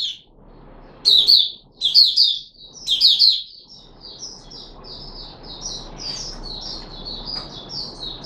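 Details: Puteh Raja, a caged red-whiskered bulbul fed fruit juice, a mealworm and a supplement, 13 April 2021: three clear bursts of lively warbling notes, with many softer chirping birds carrying on continuously behind.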